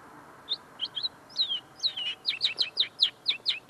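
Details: Common linnet singing beside its cage, tame and still refining its song: spaced chirps at first, then quickening into a regular series of sharp twittering notes, about four per second.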